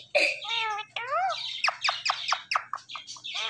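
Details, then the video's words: Indian ringneck parakeet talking, a nasal wavering syllable and a swooping phrase followed by a rapid series of short clipped chattering notes, with a faint low hum behind. "Indian Ringneck Parrot Natural Sounds"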